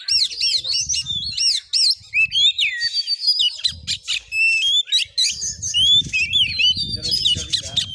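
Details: Oriental magpie-robin delivering a 'konslet' fighting song as bait for other birds, Muko Muko, Bengkulu, Indonesia; energetic looping whistled phrases, scratchy bursts and chattering, with faint low rumbling in the background.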